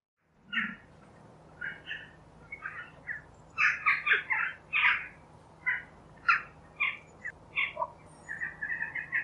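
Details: Jackdaw (Corvus monedula), a small crow, giving a chattering series of short, sharp, clipped calls, some doubled, repeated irregularly about every half second over a faint steady low hum.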